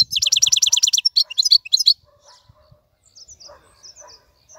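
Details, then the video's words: European goldfinch, a wild-caught bird in a cage, gives a quick burst of rapidly repeated bright chirps and short trills lasting under two seconds, followed by soft faint twittering. "مقنين خلوي يغرد بصوته النظيف, تغريد حسون بري دون توقف"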